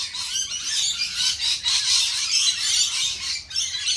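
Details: Loud, dense lorikeet chorus of piercing, scratchy screeches, about four bursts a second, merging into a constant shrill din.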